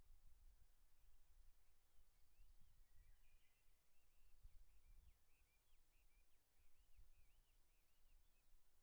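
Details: A male Daurian redstart in Japan in late March, practising song before returning to the continent, murmurs a quiet, rambling subsong of varied high twitters and short slurred notes, almost continuous over a low background rumble.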